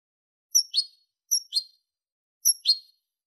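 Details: Three pairs of quick, high, thin call notes falling in pitch, each pair a double chirp, spaced about a second apart in quiet surroundings; given by a European goldfinch recorded in 2023 for its clean song.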